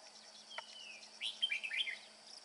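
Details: Red-whiskered bulbul father bringing food to chicks, still singing in bell voice: a long descending whistle, then a quick cluster of bright chirped notes in the second half, with a steady insect hum behind.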